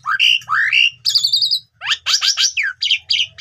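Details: Asian pied starling song played as a lure so quiet birds start singing and reveal learned phrases: two slurred upward whistles, a steady stacked tonal note, then a series of harsh rasping notes.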